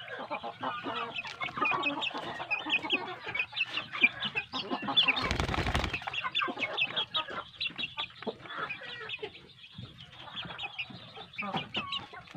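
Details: Big kampung chicks kept on quality feed call together in a dense, overlapping chorus of short clucks and chirps, with a brief rush of wing flapping midway.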